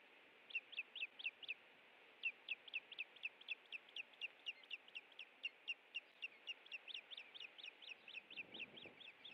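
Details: Osprey calling at the Hellgate nest in Montana on an April 2017 afternoon while eating a fish: a long, steady series of piercing whistled chirps, several per second, with a brief rumble near the end.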